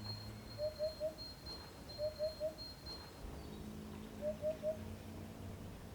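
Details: Male Eurasian Hoopoe in Provence in spring, singing its far-carrying breeding song from a perch to attract females: soft, hollow, low hoots in groups of three, "oop-oop-oop", repeated every couple of seconds, with a faint high insect whine behind.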